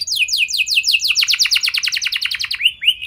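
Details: Canary song intended to set other canaries singing: evenly spaced falling notes speeding into a dense trill, closing with soft rising slurs.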